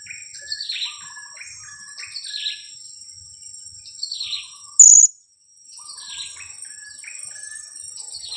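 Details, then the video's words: Two-week-old blue-crowned hanging parrot youngster, a lure bird, gives shrill descending squeaks and short chattering notes in clusters. A single loud click is followed by a brief silence, with insect drone throughout. "junior KIAK²...usia 2 minggu"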